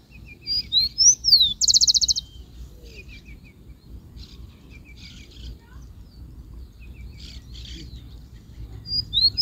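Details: Rufous-collared sparrow singing: a few clear, slurred high whistles, then a quick, dry, buzzy trill within the first two seconds. Softer scattered high notes follow, and the whistles return at the end over a steady low rumble.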